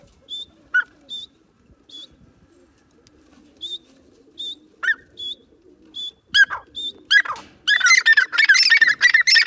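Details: Female pet grey francolin (Ortygornis pondicerianus) calling: short, high, clipped notes about three a second, with occasional lower downslurred notes, building into a loud, shrill, rapid chattering run.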